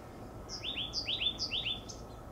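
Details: Oak titmouse calling noisily from a high perch in coast live oaks gives four quick phrases, each a high thin note dropping into two raspy, slurred lower notes, about twice a second, over faint low rumble.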